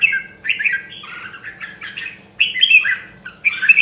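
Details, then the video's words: Rare Nam Đông, Huế red-whiskered bulbul singing during voice training: chattering, slurred warbles wavering up and down, a short gap, then a louder bright phrase and a final rising burst, with soft hum in the background. "Luyện giọng Chào Mào Nam Đông Huế Hàng Hiếm Còn Sót Lại ! giọng cực chất"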